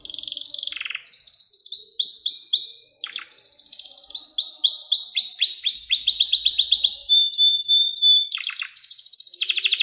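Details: Pet canary singing a lesson-style tutor song meant for training young canaries: fast rolling trills of rising high notes, buzzy rattles and brief steady whistles, rapid phrases changing every second or two, no other sounds.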